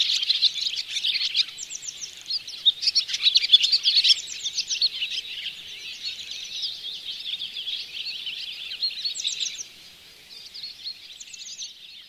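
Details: Barn swallows at the Oostvaardersplassen, Netherlands, in September: a fast, dense chatter of high chirps and short trills, several voices overlapping, fading toward the end.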